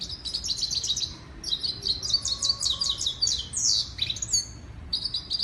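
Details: Singing female European goldfinch (saira) giving a dense run of high, tinkling twitters and buzzy trills, with a short drop to softer chirps midway and a rising slurred note near the end.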